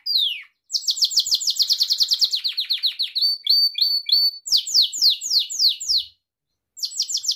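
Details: Gloster canary song used to train pet canaries: a sustained series of quick falling chirps, short looping whistles, then spaced descending notes after a short gap.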